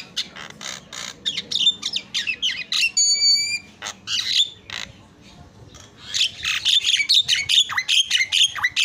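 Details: Several Javan mynas singing continuously and answering one another for a masteran (training recording): dense harsh chatter, a brief pure whistled tone, a lull, then fast rasping, whistle-laced phrases.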